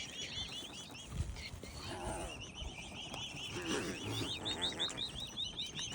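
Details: A swan family's five hungry cygnets peep continuously in short arched whistles, several birds overlapping in quick succession, with low background rumble and faint outdoor noise.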